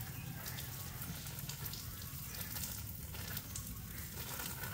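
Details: Continuous hissing, sizzling rush like spraying water, with a low rumble underneath and no animal voice heard.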